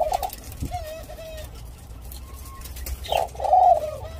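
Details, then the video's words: Captive Senegal dove x ringneck dove hybrid, possibly second generation, kept in Thailand, giving its nest coo: soft, low, tonal coos, a brief coo at the start, a gliding coo near one second, then a fuller coo phrase after three seconds, over faint background hum. "Senegal dove-Ringneck dove Hybrid Nest Coo Call"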